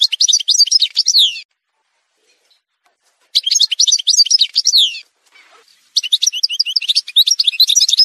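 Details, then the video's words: Song montage of the Algerian goldfinch, parva form: three bursts of fast, jangling twitter mixing tinkling notes and slurred whistles, separated by pauses of about two seconds and one second of silence. "chant chardonneret montage"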